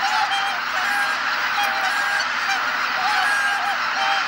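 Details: At dusk after sunset at Kabukuri-numa marsh, a large flock of returning greater white-fronted geese and bean geese honks and yelps in a continuous dense chorus of overlapping nasal calls, with no pause between voices.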